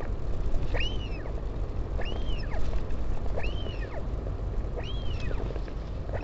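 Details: During a parent's visit to its chick, 16 July 2019, at the northern royal albatross colony on Taiaroa Head, Dunedin, New Zealand: four rounded, arching calls about 1.3 seconds apart and a fifth beginning, over heavy wind noise.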